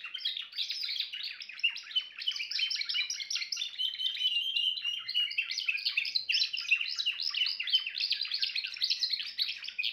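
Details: Timbrado canary delivering a long, rapid rolling trill, steady and dense, with a brief smoother whistled passage midway before the fast chattering notes resume.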